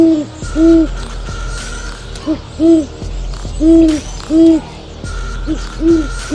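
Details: Owl calling with separate, rounded hoots spaced roughly a second apart, each note smooth and slightly arched in pitch, with a steady tonal music bed underneath.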